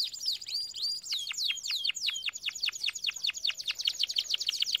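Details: Song for training canaries: a series of sharp falling chip notes, speeding into a fast rhythmic trill toward the end.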